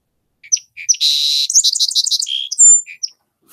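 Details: A Song Sparrow, singing in early May in North America, gives a few sharp introductory notes, then a buzzy trill followed by a rapid jumble of chips and a high clear whistle, all within about three seconds.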